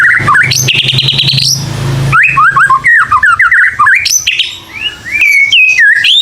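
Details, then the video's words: White-rumped shama lure song for stimulating young birds to sing: loud, varied whistled phrases that jump and slur between high and low notes, with a brief harsh rasping burst partway through. "TERAPI MURAI PASTOL: Suara Pancingan Khusus Burung Muda Agar Berani Bunyi & Mental Preman"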